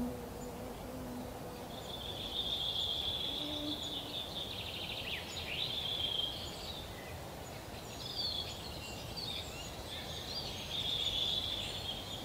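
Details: European pied flycatcher parents feeding chicks in a nest hole in an old lesser spotted woodpecker cavity, Yekaterinburg forest park, late June 2018, camcorder recording; thin high whistled notes in scattered bursts, with a low background hum.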